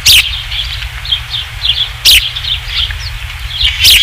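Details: Osprey at the Dunrovin Ranch nest, 27 July 2016 around 19:55, at the third fish delivery, filmed by nest camera: high, thin whistled chirps in a steady chattering series, with loud bursts of wind or camera noise and a low rumble.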